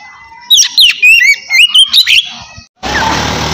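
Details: White-rumped shama in relaxed open singing meant to coax lazy birds into song: loud sweeping whistles and sharp notes for about two seconds, followed by a sudden band of broad noise.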